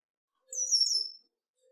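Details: A male Red-winged blackbird with a pale yellow wing bar gives one thin, high, slightly buzzy note that slides downward and lasts under a second. A faint low hum runs underneath.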